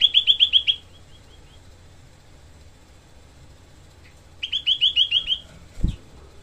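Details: Dense, harsh 'tembakan' song of a Grey-cheeked bulbul used as tutor audio for songbirds: two quick bursts of rattling, evenly repeated notes, each under a second, with a trailing fade and a low thump near the end.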